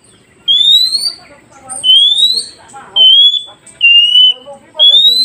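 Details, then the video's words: Oriental magpie-robin singing to prompt freshly caught wild birds to reply: five clear, high, drawn-out whistles, rising or steady, about a second apart, with soft chattering and twittering underneath. "Dengarkan KACER ini Agar Kacer hutan Baru Dapat Cepat nyaut"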